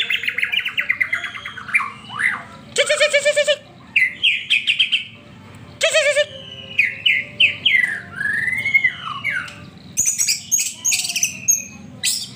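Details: Song of a white-rumped shama that is played to set off a caged bird's singing: buzzy rattling notes mixed with fluty whistled phrases and quick slurred trills, then a burst of very high twittering.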